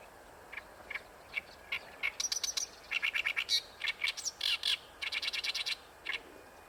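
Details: At Ikejima, Japan, an Oriental reed warbler delivers a long, busy song of raspy, creaky syllables strung together in quick repeated groups, alternating lower grating notes with sharper high squeaks.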